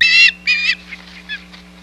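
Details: Osprey at the Hog Island nest, July 2020, shad delivery. Two drawn-out, squealing whistled notes followed by a few faint softer calls.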